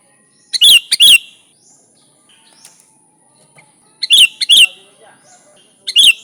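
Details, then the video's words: Energetic sooty-headed bulbul, recorded without added birdsong and used as a lure for bulbuls, gives pairs of loud, bright, clipped chirps, then a pause, then more pairs, over a faint continuous high-pitched hum. "Suara Burung Kutilang Gacor ASLI Tanpa isian, Ampuh untuk Pikat bikin kutilang Ribut gacor"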